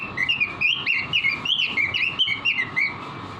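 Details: Caged robin singing with vigour, recorded as a training song for caged birds: an unbroken stream of lively, warbling whistles that swoop up and down in quick succession, with a faint steady hum behind.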